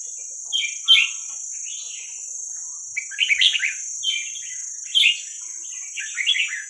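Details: Red-whiskered bulbul, a young wild Vietnamese-type bird, played for training chicks: clear, liquid warbled phrases of several quick notes each, about one phrase every second, separated by short pauses over a constant thin hiss.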